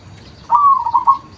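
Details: A single local zebra dove coo recorded as natural lure sound: one smooth, vibrating trill of under a second, steady in pitch with a few pulsing beats at the end.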